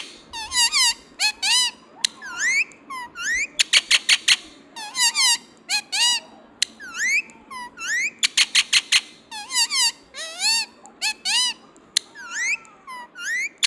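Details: Green Indian ringneck parakeet kept as a pet chatters indoors with dense, fast squeaks, rising whistles and buzzy stuttering bursts, barely pausing over the whole stretch.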